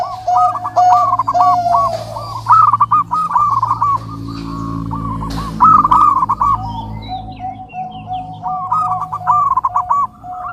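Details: Zebra dove cooing: rolling staccato phrases alternating with a steady lower coo, a pause mid-way filled by a low drone, and a few high whistled notes from another bird.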